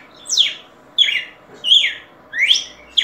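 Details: Red-cowled cardinal song of five bright, descending buzzy notes in about three seconds, evenly spaced and loud against a quiet hum.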